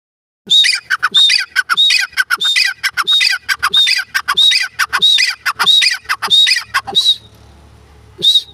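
A grey francolin gives a fast series of harsh, ringing notes, about a dozen in rhythmic succession, then a brief pause before one last note.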